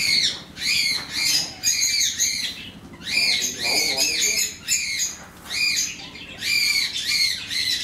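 A zebra finch sings a run of nasal, buzzy notes, each a quick rising-and-falling toot, tightly repeated.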